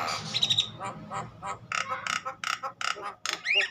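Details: Agitated Javan myna singing, used to stimulate other mynas to sing: a string of short harsh bursts and chattering notes, with a brief whistled phrase near the start and a rising whistle at the end.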